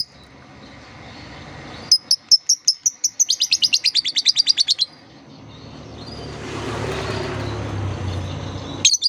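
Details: Lovebird therapy song to draw young lovebirds into calling: a rapid run of shrill, ticking chirps speeding into a buzzy trill, followed by a stretch of soft rushing noise.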